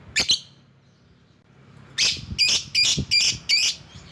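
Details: Lovebird used as a lure to call rivals: two quick shrill notes, a pause, then five harsh, scratchy shrieks in fairly even rhythm.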